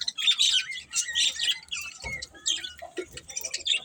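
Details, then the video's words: Budgies chirp and warble with high scratchy notes, some clear whistled slides, and a low thump around two seconds. "Cute Budgies Chirping Sounds"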